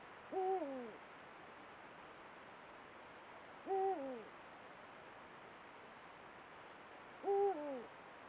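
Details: Rival male Eurasian eagle-owls calling at night during the breeding season, duelling over a female, recorded by camera trap: three deep, drawn-out hoots, each ending in a falling slur, spaced about three and a half seconds apart over quiet hiss.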